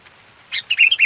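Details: Local sooty-headed bulbul in full active song, used as a tutor recording for training birds: a brief run of clear, bright whistled notes, the first higher and short, then three quick rising-falling phrases in close succession, with a faint high hiss behind.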